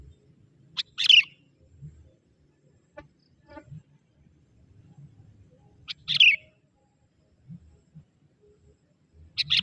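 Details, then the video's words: Young forest sooty-headed bulbul calling out to wild bulbuls, giving sharp bubbly chirps spaced roughly five seconds apart, with faint low rustling and quiet ticks between them. "Suara kutilang muda hutan memanggil burung kutilang liar!!"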